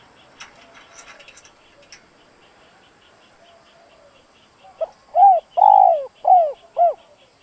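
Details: Spotted dove call used to stir a slow decoy bird into calling: after several seconds of faint high chirps, five loud hoarse coos in a quick run, the middle note drawn out and falling.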